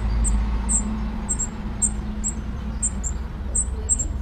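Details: Spotted flycatcher at its odd nest site among screws, Dombóvár, Hungary, 8 June 2017: about a dozen thin, very high, short call notes in four seconds, irregularly spaced, above a low steady hum.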